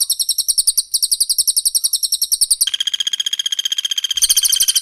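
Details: From a songbird training recording of cililin against pelatuk bawang: high rapid chattering notes, a switch to a lower buzzy even trill, then a return to the high chatter.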